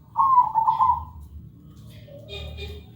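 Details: Zebra dove (perkutut) singing loudly, clear and melodious, offered as a lure to prompt other perkutut to sing: a single rippling, trilled coo phrase lasting about one second, followed by faint higher tones and low background rumble.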